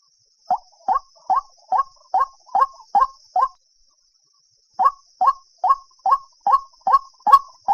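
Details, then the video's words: White-breasted waterhen calling at night in August: a steady series of short hollow notes, about two per second. The series pauses for over a second, then resumes at the same pace in a quiet setting. "Tiếng Chim quốc đánh đêm tháng 8"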